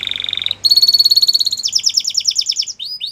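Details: Canary singing meant for training young birds: a quick rolling trill gives way to a loud, tightly repeated high tour, then pulsed downward sweeps and two short slurred notes to close.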